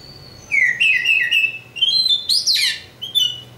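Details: Oriental magpie-robin of local East Java origin, singing clear whistled notes that step gently up in pitch, then a sharp harsh burst and a final short whistle, quiet room hum beneath.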